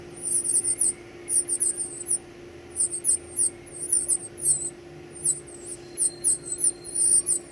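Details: Nestlings calling while being fed: clusters of very high, sharp squeaks in rapid runs, with short pauses between bursts, over a low constant hum.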